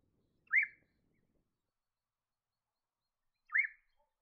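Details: Little Friarbird in woodland near rivers and wetlands around Cairns, Queensland: two short arched mid-pitched notes about three seconds apart, with quiet between them.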